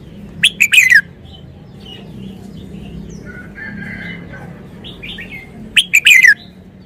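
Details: Wild-style song (phleng pa) of a caged red-whiskered bulbul: a loud, tumbling phrase of quick whistled notes at the start, repeated about five seconds later, with quieter bird chirps between.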